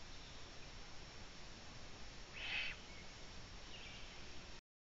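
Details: A Eurasian eagle-owl in Latvia at 22:11 on 11 June 2017, with the third chick near, gives one harsh, hissing half-second rasp followed by a fainter breathy echo, over a steady low rumble.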